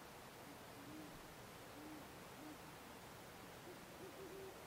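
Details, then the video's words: Great horned owls calling back and forth: soft, low hoots, about five in under five seconds, ending in a slightly higher run, all faint beneath a steady hiss. "Owl sounds"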